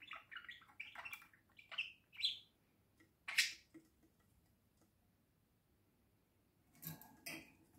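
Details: Pet budgerigar on a house roof giving scattered squeaky chirps and warbled notes, a loud sharp call near the middle, then a pause and two final chirps.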